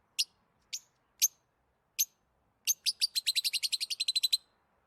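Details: Lovebirds chirping, as they do when playing, eating or excited: a few spaced sharp high chips, then a quick run of about fifteen rapid chirps in a row, in otherwise quiet surroundings.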